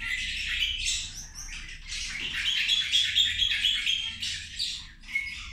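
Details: Several zebra finches at their midday feed give short, nasal, high-pitched calls in quick, overlapping bursts, about two a second, with a faint low hum throughout.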